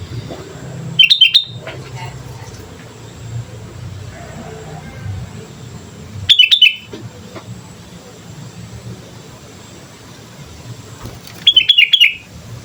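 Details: Sooty-headed bulbul in full, lively voice, used as a lure: three short bursts of bright, chirpy notes spaced about five seconds apart, each with sharp clicks, over a low steady background rumble.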